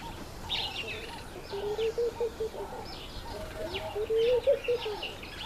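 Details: Courting laughing dove displaying to a female: two low, chuckling coo phrases of short pulsed notes, the second rising to a brief peak, set against lively chirps and twitters of other birds.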